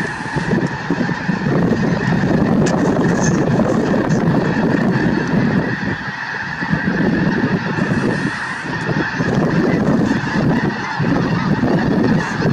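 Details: Snow geese at Merced National Wildlife Refuge on 22 January 2023: a large flock gives dense, continuous honking, a steady roar of overlapping nasal calls.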